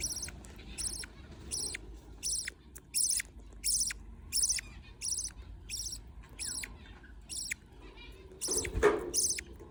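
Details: Budgerigar chicks fed by a parent repeat harsh, wheezy, high begging notes in a regular rhythm, about twice a second. A brief knock or rustle sounds near the end.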